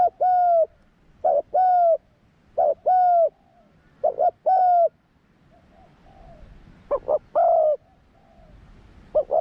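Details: Young spotted dove taken into the forest for the first time for training, cooing: low, mellow double coos repeated about every 1.3 seconds, then a faint pause and a final group of stronger coos.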